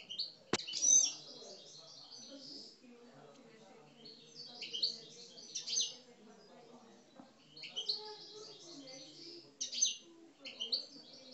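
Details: Caged Algerian parva goldfinches give an aggressive song in intermittent bursts of high twittering and chirping, with quiet pauses between the phrases.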